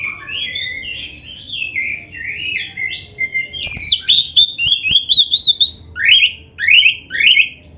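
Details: Oriental magpie-robin (kacer, black-breasted), a kept songbird in full 'gacor' song with rich 'isian' fill-in phrases: loud whistled swoops and slurred notes, then a rapid series of sharp rising upslurs about twice per second.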